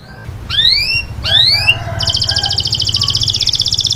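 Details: Canary in taghreed style for training chicks: two rising, bright whistled slurs followed by a dense, rapid buzzy trill, over a low background hum.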